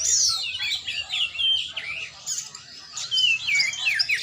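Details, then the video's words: Kacer, or oriental magpie-robin, being trained: bright, high whistled slurs tumbling quickly one after another, with scratchy chatter mixed in and a low background hum throughout. "latihan burung kacer"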